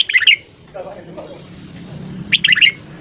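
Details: Morning song of a red-whiskered bulbul, for voice training: two bursts of rapid, jumbled bright chirping notes, one at the start and one near the end, separated by a faint murmur.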